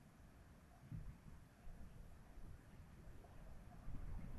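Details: Low rumbling wind buffets the microphone in a steady roar, with a few louder gusts and no animal voices.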